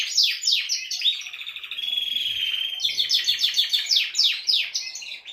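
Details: Male canary in full song meant to excite a female for mating, with quick descending sweeps repeated several times a second, a sustained rolling trill in the middle, then more rapid falling chirps.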